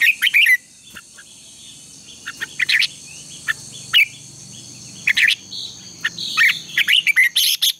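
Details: Red-whiskered bulbul in competitive morning singing, used to train birds; bright whistled notes and chirps scattered across the clip, denser toward the end, over a faint continuous hum.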